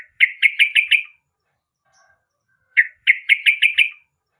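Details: Yellow-vented bulbul (Pycnonotus goiavier) giving two quick bursts of five bubbly, chattering notes, about a second and a half apart, against a quiet background.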